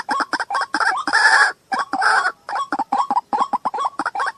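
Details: White-breasted waterhen producing rapid clucking notes mixed with two longer, harsh, braying bursts, then a quick chatter of short hooting notes.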